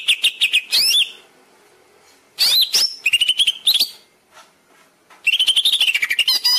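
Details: Greater green leafbird master song for training caged birds: rapid chirps and whistles, a pause, whistled phrases with chatter, then a sustained, fast, warbling run of high notes.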